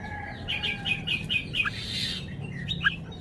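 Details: Red-whiskered bulbul performing its song repertoire, heard softly: a run of short, rapid chirped notes, then a few isolated bright whistles, against a steady low hum of background noise.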